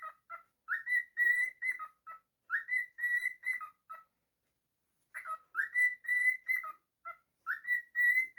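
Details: Cockatiel kept as a pet singing its learned whistle over and over. Each burst opens with a swooping rise, holds bright level tones, and ends in quick lower notes. There is a long silent gap between phrases.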